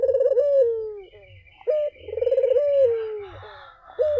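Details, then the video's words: Collared dove calling repeatedly as a lure for other doves: trembling, pulsed coos that flow into long, downward-gliding notes, each set off by a short clipped hoot, over a faint low rumble. "SUARA BURUNG PUTER GACOR!"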